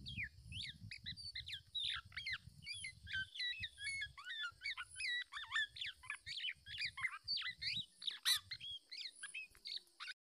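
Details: Black-naped oriole, parent protecting its young from a male that tries to take the chick; long excited stream of high, squeaky slurred whistles and chatter, with low rumble early and a sharp click near the end.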